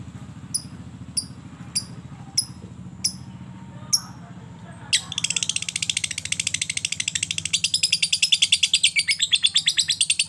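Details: Lovebird doing ngetik, sharp ticking, that runs into ngekek, a long chattering trill: six crisp high ticks about every 0.6 seconds, then a sudden dense, rapid, buzzy trill that continues steadily to the end.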